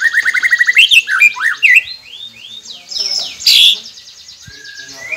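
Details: Song of a white-rumped shama from a recording played to make quiet captive birds sing: a rapid repeated trill, then looping rising and falling whistles and a loud burst of high notes.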